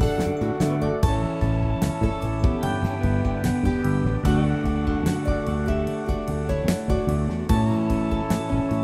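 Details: Gentle instrumental music with plucked guitar-like notes and soft low chords, with no animal sounds.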